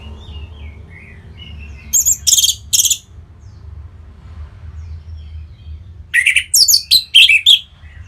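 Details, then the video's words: Orange-headed thrush kept in Singaraja, Bali, singing to stimulate other birds to sing: faint soft twitters, then a burst of three sharp notes, and later a longer string of rapid, varied chirps, over a low hum. "Punglor Merah Lagi Berkicau.. Untuk Pancingan Bunyi"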